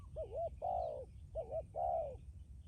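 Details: Decoy spotted dove, kept as a strong cooer with a lasting final coo. It gives two coo phrases, each a short wavering note and then a longer, slightly falling note, over a faint steady hiss.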